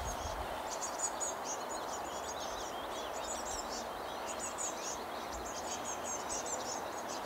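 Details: Nestling birds calling while their parents bring food to the nest: a dense, continuous chorus of thin, high chirps and short twittering notes, in steady outdoor background noise.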